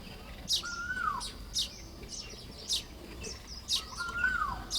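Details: Nest-building Baya weavers, Lop Buri province, Thailand, morning of 1 May 2026: sharp high chips repeated about twice a second in uneven rhythm, with a softer descending whistle underneath twice.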